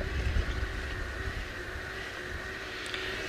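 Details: Steady low engine rumble of a vehicle with a faint background hum, and no animal calls.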